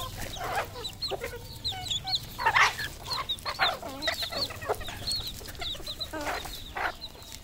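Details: Cambodian farm flock of red junglefowl: scattered high peeps and short clucks, with a few harsher, louder squawks standing out over a low background hum.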